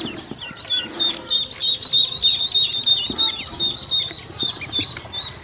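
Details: Hungry domestic ducklings at feeding time with feed and drinking water; high, clear peeps, many birds calling at once, notes often sliding upward, about three per second, with quiet background bumps.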